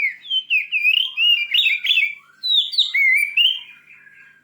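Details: White-rumped shama pouring out fierce song to excite another shama: a continuous, fast stream of loud fluty whistles, swooping slurs and twittering notes with scarcely any pause.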